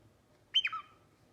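A cockatiel gives one short whistled call that starts high and slides down in pitch.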